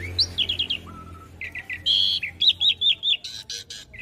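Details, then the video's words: Master song of the Asian pied starling for teaching young birds: quick runs of four repeated chirps, a low flat whistle, then a harsh buzzy note and a string of looping whistled notes. "Masteran Jalak Suren Muda Agar Cepat Masuk Materi Mudah Di Tiru"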